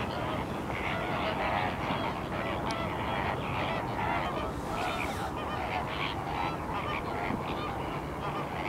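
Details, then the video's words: Flamingos at the salt lake in Larnaca, Cyprus: a dense, continuous chorus of nasal, goose-like honks from many birds, overlapping without a break, over steady low wind rumble. "flamingos at salt lake Larnaca Cyprus"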